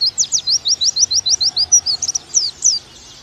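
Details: High, rapid oriental white-eye chirping from a pleci masteran aimed at making birds 'nembak': about a dozen evenly spaced slurred notes, then a brief jumble of twittering before falling quiet.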